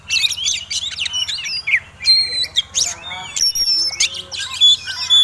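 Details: Persistent fighting song of a displaying Oriental magpie-robin, used to provoke rivals: dense bursts of bright whistles, chattering trills and upslurred notes, briefly pausing mid-phrase, with a faint low hum beneath.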